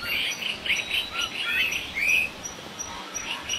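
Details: Wild laughingthrush uttering repeated raspy, chattering notes about three times a second, with one longer slurred note in the middle and softer low whistles near the end.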